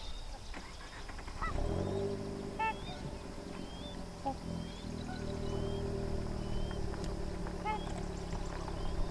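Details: Sandhill crane colt with its parents at Sherburne Wildlife Drive: several short, buzzy, harmonic calls a second or two apart, thin high rising peeps scattered between, over a steady low engine hum.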